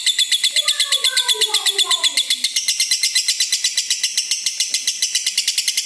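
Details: Red-eyed lutino lovebird giving a long ngekek song, meant as a master or bait recording for training other lovebirds: a harsh, high, rapid trill of pulses about four per second, unbroken for six seconds, with a few lower descending whistles early on.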